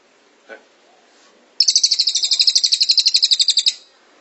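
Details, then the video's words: A faint low call first, then a Cililin bursts into a dense 'tembakan rapat' volley: about two seconds of rapid, evenly spaced high piercing notes, roughly eight per second, sung as tutor material for caged songbirds. "Masteran Cililin Tembakan Rapat Durasi Panjang"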